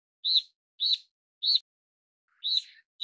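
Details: Taiwan-endemic Steere's liocichla calling: four short, arched, slightly buzzy chirps spaced roughly half a second apart, the last one longer with a trailing rough tail, quiet background otherwise.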